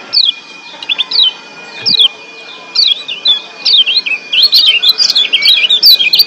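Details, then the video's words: Ciak song of a wild-caught Lombok white-eye in breeding excitement: high downslurred whistled notes in short spaced phrases, then a rapid jumbled chatter of bright chirps, with a faint steady tone behind. "Ciak Joss Kecial Kuning GEBOKAN LIAR Ampuh Naikin BIRAHI Bikin AKTIF BUNYI"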